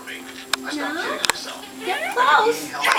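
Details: A pet Derbyan parakeet talks to a customer indoors, chattering in speech-like phrases with quick high, slurred syllables and a couple of sharp clicks.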